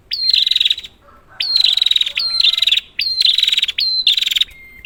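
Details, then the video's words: Prinia used to stir quiet prinias into calling: five loud, buzzy, pulsed bursts in quick series, separated by brief gaps, with a thin whistle at the close. "Prenjak, Pancingan ampuh untuk burung prenjak macet"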